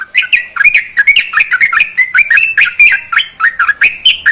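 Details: Sooty-headed bulbul singing to stimulate lazy birds: dense, hurried chatter of whistled and slightly harsh notes, varied in pitch, packed close together without pause.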